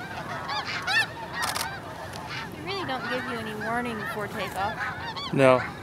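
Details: Snow geese at Hagerman NWR around an early flock take-off: scattered nasal honks and yelps from many birds, a few lower drawn-out calls in the middle, and a sharp loud honk near the end.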